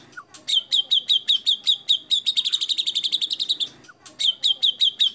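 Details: Competition-style song of a white-rumped shama with judge-pleasing fill-in phrases: a short slurred note, then a steady train of quick, sharp repeated chips that speeds into a rattling run, pauses, and starts again.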